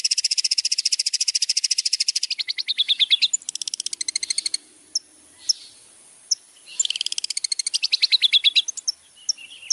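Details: Long-tailed shrike (cendet) master song for training contest birds: long, very fast, high buzzy trills of evenly repeated notes, breaking into scattered sharp single chips, then another rapid trill burst.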